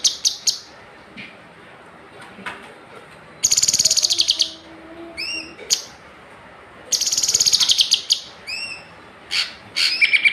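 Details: Kinoi bird at the semi bahan stage giving bursts of rapid, high, buzzy rattling trills separated by short sharp chirps and upslurred whistled notes, repeated through the recording with quiet gaps and faint background hiss.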